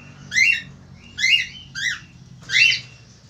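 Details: Rapid series of four loud, raspy descending chirps from a male Australian falk, spaced under a second apart, each note harsh and slurred downward, with a low room hum underneath.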